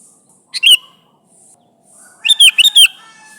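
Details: Sooty-headed bulbul calling its companions: two bursts of bright, bubbly chirps, a short pair of notes followed by a quicker run of three liquid, slurred phrases, on a quiet background.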